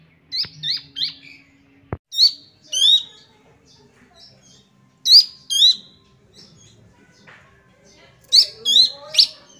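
A young Sunda bush warbler gives bursts of sharp, high chirps with quick up-and-down notes.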